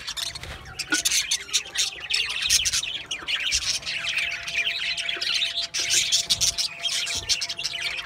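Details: Budgerigars giving dense, overlapping warbled chatter with rapid squawks and chirps, continuous throughout, with a faint steady low hum beneath.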